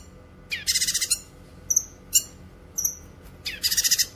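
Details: Cucak kinoy vocalising, intended for songbird training and luring: two harsh buzzy rattles of several pulses each, with short high whistled chips between them.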